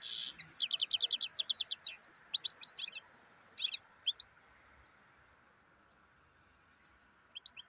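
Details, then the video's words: A black-headed goldfinch opens with a fast, even series of ringing chirps, then breaks into jumbled tinkling twitters that fade to silence, before a brief final pair of notes over a faint hum. "Черноголовый щегол"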